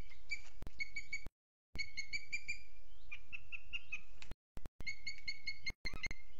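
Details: Booted eagle filmed by webcam in Sierra de Guadarrama National Park, Spain, on 12 June 2022 at 07:20; series of rapid, clear, whistled notes with rich overtones, repeated in short runs, broken by several abrupt silent dropouts, low background rumble.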